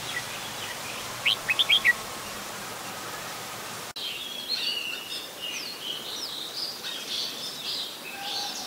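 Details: Adult Red-whiskered Bulbul recorded at Ubon Ratchathani, Thailand, on 16 December 2020: a quick run of five sharp, bright chirps, then a dense, busy chatter of many high notes from several birds.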